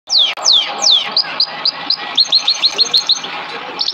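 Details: Canary training song for tutoring other canaries: three loud, sweeping downslurred whistles, then a steady series of short, bright repeated notes about five per second, over a constant background hiss and rumble.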